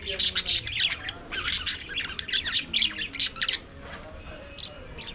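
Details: Flock of budgerigars singing and playing in an aviary, pouring out rapid overlapping chirps, scratchy squawks and brief whistled notes in dense bursts for about four seconds before the chatter thins out.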